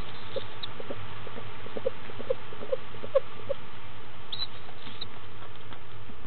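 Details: Barred owlet, a female hatched around 6am in Florida, feeding eagerly at her second meal, 10am, 19 February 2015; a string of six short low peeps with a few thin high squeaks above, steady background hum.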